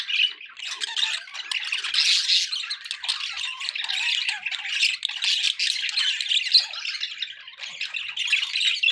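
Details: Constant chatter from a group of pet budgerigars: overlapping scratchy twitters and high squeaky notes form an unbroken babble, with a few louder harsh squawks standing out near the middle.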